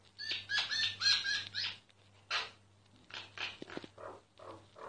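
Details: A myna singing, recorded secretly: loud nasal, harmonic notes strung in a quick series during the first two seconds, then a rasping burst and softer gurgled, clicking phrases, with a faint low hum behind.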